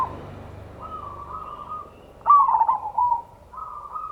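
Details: Zebra dove of local stock giving a ngayer kerot nutut song meant to lure and excite other doves into singing. A flat, sustained coo gives way to a loud, stuttering rolled phrase, then a steadier tail.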